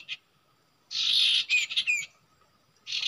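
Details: Common iora at a usual nesting site: a short chirp, then a loud buzzy phrase with quick downslurred whistled notes, then another harsh burst after a pause.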